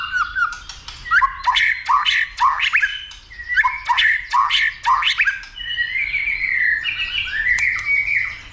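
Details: White-rumped shama, trained for a varied repertoire, excited to fight-singing; rhythmic bursts of harsh clicks mixed with bright whistled notes, ending in a smoother, longer warbling phrase with a faint background hum.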